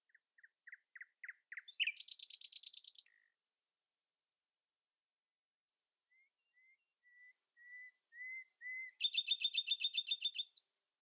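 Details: Common nightingale in morning song against rivals: rising clicks speed into a loud buzzy rattle, then after a pause a slow crescendo of pure drawn-out whistles leads into another fast rattling trill.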